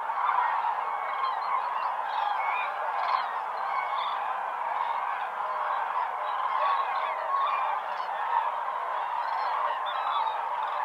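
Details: Huge flocks of common cranes at Lake Hornborga in early morning, just before sunrise, give their fanfare calls: a dense, continuous chorus of loud trumpeting and honking voices overlapping without pause, with no other sounds standing out.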